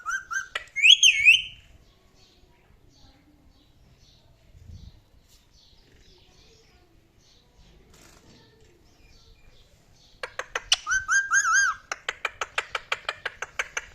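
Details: A male pet parrot opens with a loud wavering whistle. Then comes a long quiet stretch with faint rustling, and finally a rapid series of clicky, whistled chatter notes.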